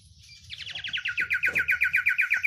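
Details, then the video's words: Oriental white-eye sirtu song: thin notes quicken into a steady, fast series of loud, crisp chirps that keeps going to the end. "sirtu isian luber banyak pedes"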